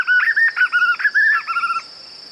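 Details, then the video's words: White-eared puffbird singing a quick run of quavering, wavering whistles, each note looping up and down at mid pitch and running for nearly two seconds before stopping, over a steady thin high whine from insects. "Som limpo do canto🎵 do João Bobo"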